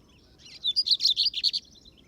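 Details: Lined Seedeater (bigodinho) on a field outing (campiada): a quick run of about ten bright, high chirped notes over roughly one second, evenly spaced and slightly varied in pitch, against a quiet background.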